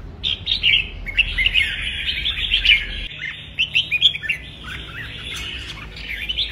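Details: Red-whiskered bulbul giving an intense 'kích bổi' stimulation song used to train fighting song; dense overlapping chattering warbles and rapid bright notes run continuously, with a low rumble underneath during the first half.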